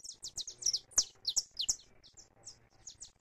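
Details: Saffron finch singing free in a live recording: rapid series of high, clipped, downward-sweeping chirps, several per second, over a low background hum.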